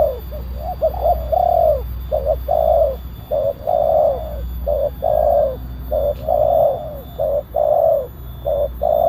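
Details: Spotted dove with a big voice, kept for luring wild doves and tutoring other birds, cooing in regular phrases: quick clipped notes leading into a fuller, slurred coo, repeated roughly every second and a half, with a constant low hum beneath.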